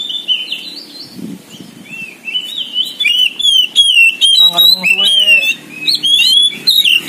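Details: Oriental magpie-robin (kacer poci), a kept songbird singing loudly and energetically: a rapid, varied run of whistled and chattering phrases. Many short notes rise and fall, some with sharp upward sweeps. Faint human voices sit in the background.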